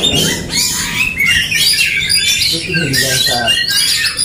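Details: Two or more Oriental magpie-robins in an aggressive duel: bright whistled phrases and quick chirps pile over one another, with harsh, grating lower squawks mixed in, steady and unbroken.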